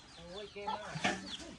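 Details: Domestic chicken at a home by a shrimp pond, with ducks nearby, 28 January 2024, gives a few short, nasal clucks in quick succession while a person talks over them.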